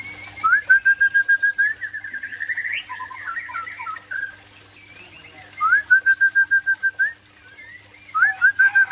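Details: White-rumped shama of the Aceh type singing in the afternoon: rapid runs of about ten identical sharp whistled notes, twice, with a warbled, scratchy passage between them, over a steady low hum.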